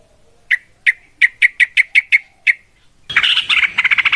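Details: Yellow-vented bulbul fighting song meant to make other bulbuls reply: a series of about nine sharp evenly spaced chips, then a dense loud burst of rolling chatter.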